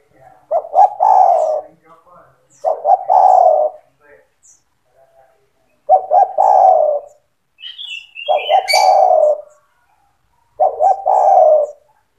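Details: Spotted dove in persistent song, aimed at getting young doves to sing along. There are five low, husky coo phrases about every two to three seconds, each with stuttered opening notes and a long falling coo. High twittering sounds in the middle.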